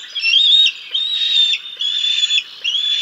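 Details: Bald eagles at the Decorah North nest on 6 May 2022, during a feeding: the male brings a fish and feeds the chicks until the female arrives and takes over. High, thin whistled calls in sustained bursts, each about half a second, repeating with short gaps.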